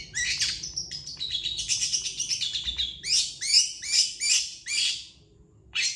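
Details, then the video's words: A long-tailed shrike pours out a rapid, rasping chatter as a master song for training birds, then slows into five or six louder, downslurred harsh notes spaced about a third of a second apart. "MASTERAN CENDET GACOR PALING DICARI CENDET MANIA"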